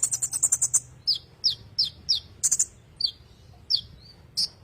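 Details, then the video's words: Kolibri ninja song in ngerol style, a tutor recording for magpie-robins: a short rapid high trill followed by spaced, slurred high chips about every third of a second, some drawn into thin whistles. "kolibri ninja ngerol cocok buat masteran burung murai batu"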